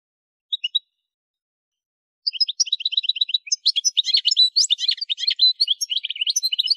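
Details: Algerian goldfinch recorded in the Souk Ahras area (Kef El Hammam) gives two brief high notes, then a rapid, tinkling run of twitters, trills and buzzy chirps that flows without pause.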